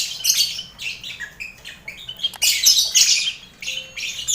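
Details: Busy lovebird colony sharing a cage with finches and quail, a training recording for contest birds: fast, continuous high twittering and rasping squawks, peaking midway, then tapering to sparse chirps.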